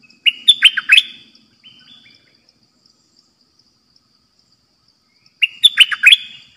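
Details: Trapping decoy bulbul in a cage, 'dok taeng' song: a loud burst of rapid slurred whistles, a soft short trailing note, then several quiet seconds before a second matching bubbly phrase.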